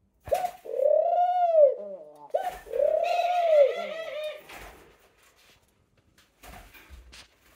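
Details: A pet dove gives two long, mellow coos, each swelling and fading over about a second and a half, followed by quieter shuffling sounds indoors.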